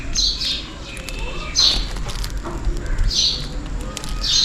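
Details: On a rainy day, sparrows at a feeder stocked with millet give short, high chirps in bursts about every one and a half seconds while calling for food, over a steady low rumble of rain or traffic.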